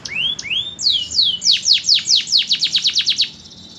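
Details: Canary described as a promising songster, singing two rising whistled sweeps, then a run of slurred, downward-sliding notes that speed up into a rapid, rhythmic series of about a dozen notes before stopping, over a quiet background.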